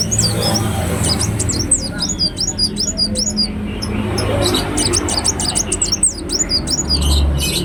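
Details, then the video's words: Ruby-cheeked sunbird singing in dense bursts of very high, thin, zigzag chirps, two long twittering phrases separated by a brief pause, with low murmuring background noise. "Kolibri Wulung Gacor Latah Gampang Bunyi"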